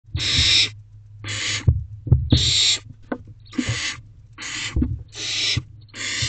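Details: Barn owl owlets huddled together in a nest box at night, just before midnight in mid-May, uttering long broadband rasping hisses of about half a second, repeated roughly every second, with low rumbling background hum.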